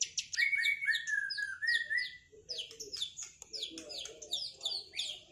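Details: Post-moult white-rumped shamas dueling to recover their song form: a drawn-out wavering whistle beneath repeated high downslurred notes, followed by rapid high chips and trills, with faint background noise.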